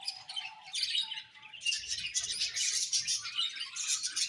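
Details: Budgerigars chirping as a group, opening with a low hum-like tone under the chatter, then a thick wash of shrill squeaks and warbled twitters that stays loud throughout.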